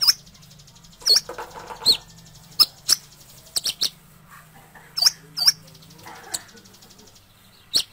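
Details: Sunbird known locally as kolibri ninja, recorded as training song for other birds: sharp high chips and short squeaky notes scattered over eight seconds, some in quick pairs, with faint low hum beneath.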